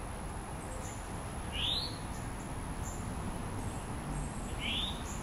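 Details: A male Northern cardinal feeding a juvenile, Diamondhead, Mississippi, July 2016: two crisp, rising chip notes about three seconds apart, with steady background hiss and faint high twitters.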